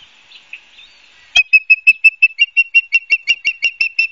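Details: Nest-camera osprey at Barnegat Light, New Jersey, 12 September 2022, afternoon. Faint whistles come first, then an abrupt start to a fast, evenly spaced series of about fifteen piercing chirps.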